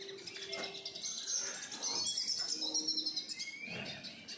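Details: Several captive-bred siskins kept indoors at home: high thin twittering and wheezy trills mixed with short chirps, a rapid chattering run in the middle, with a faint low hum beneath.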